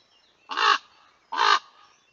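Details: Two common ravens pestering a male eagle owl at its daytime roost for a few minutes, filmed for monitoring; two raucous, grating croaks about three-quarters of a second apart, each short and evenly loud, in a quiet setting.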